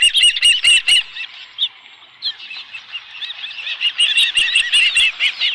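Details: At the Dunrovin Ranch nest on 11 July 2018, an osprey with a live fish gives quick bursts of high, sharp chirps, then softer overlapping whistled notes that build again toward the end.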